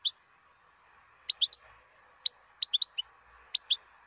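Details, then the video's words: Song of a wild European goldfinch, delivered as quick high twittering notes in short bursts of two to four, with gaps between bursts and a soft steady hiss underneath. "تغريد الحسون البري"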